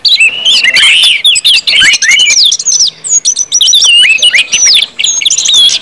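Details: Ngeplong song of an orange-headed thrush, played to stimulate other birds to start singing: continuous, tangled high whistles and twittering slurs, fast and varied, barely pausing over the whole stretch.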